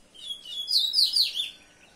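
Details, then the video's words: A brief common seedeater phrase: a few high, descending slurred notes in quick succession, swelling and then fading within about a second. "Papa Capim Comum"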